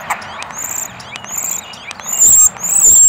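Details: A common starling very close to the camera, close enough to peck the lens, gives a busy medley of high thin whistles, sharp clicks and rattles, with a bright sustained whistle near the end; described as a mating call.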